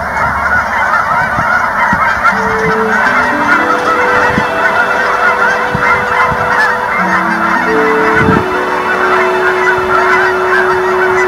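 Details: A large flock of Canada geese in Colorado during winter migration keeps up a dense, constant clamour of overlapping honks, with steady low sustained tones beneath the chatter.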